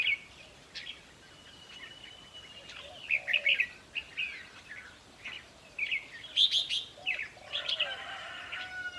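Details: Red-whiskered bulbul song, played to caged birds to make them excited during decoy trapping: scattered whistled notes and long thin tones, growing into livelier warbled phrases toward the end.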